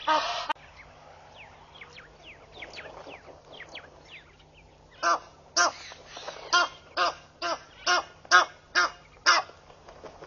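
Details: Egyptian geese displaying at a pond in Mashatu Game Reserve, Botswana, July 2013. After a quiet start with faint thin chirps from other birds, about ten loud, raspy honks follow, spaced roughly every half second.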